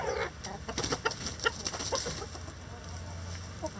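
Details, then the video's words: A mixed flock of egg-laying chickens murmurs inside the coop. Quick, soft, irregular clucks overlap one another above a low background rumble. "Relaxing Chicken Coop Sounds"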